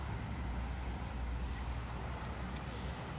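Steady low rumble of road traffic and passing vehicles fills the recording; no animal voices are heard.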